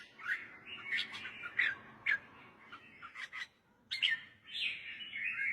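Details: Red-whiskered bulbul song, played to train young birds or excite birds: scattered bright chirps and short warbles over a steady hiss of background noise, with a pause near four seconds.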